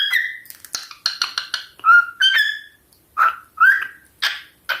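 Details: Male cockatiel sings a varied run of whistled notes, some clear and slurred, others harsh and chattering.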